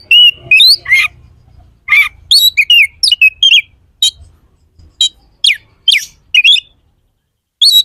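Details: Oriental magpie-robin in very lively song, giving rapid varied whistles, chirps and rising slurred notes in short irregular bursts, some notes sweeping steeply downward, with brief silences between phrases and faint low background noise.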